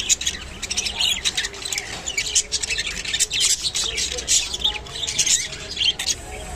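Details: Rainbow budgerigars munching kolmi shak (water spinach): steady high twittering with quick chirps and squeaks, mixed with sharp clicks and crackly feeding noises throughout.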